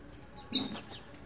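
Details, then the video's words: Green-winged saltator, which lives in scrub, forest edges and clearings, giving one sharp, high, clipped chip of alarm out of fear, lasting a fraction of a second, over quiet background. "Trinca ferro boiadeiro chamando piando de medo"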